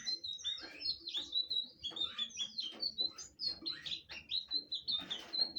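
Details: A blue flycatcher's song: sweet, high whistles that slide up and down, delivered in quick runs of twittering notes with small breaks between bursts, in a quiet setting.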